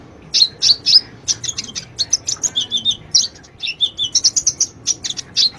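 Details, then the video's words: High-pitched sunbird song played to draw a quiet bird into singing: energetic twittering with quick chirps and short descending slurs, delivered almost nonstop. "Pancingan Ampuh,buat Kolibri yang malas bunyi"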